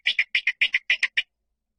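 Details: Rail lure recording: nine sharp, harsh clicking notes in quick pairs, strongest around the upper-middle range, lasting just over a second, then silence.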